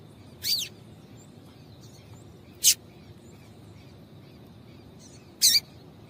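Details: Female rusty-collared seedeater call, used to excite males into singing: three short, sharp, high chip notes spaced a few seconds apart against a quiet background.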